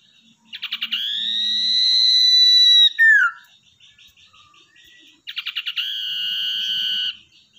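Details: Common iora, tamed after capture from the wild and used as a lure bird: a stutter of quick notes swells into a long, slightly rising whistle ending in a downslur, then soft twitters before a second long whistle.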